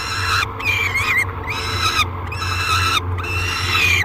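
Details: Peregrine falcon screaming during feeding at the Great Spirit Bluff nest box in July 2021: three long, rough wails with wavering pitch, broken by short silences, over a faint low hum.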